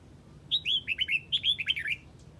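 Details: Red-whiskered bulbul of the Huế type calling its flock: a quick run of about ten bright, slurred whistled notes, each dipping or rising, delivered over one and a half seconds against faint low background hum.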